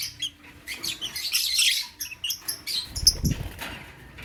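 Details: Lovebirds, lutino and blue opaline colour forms, heard in the morning giving bright, piercing chirps and twittering squeaks in rapid clusters, with a soft thump or flutter near the end.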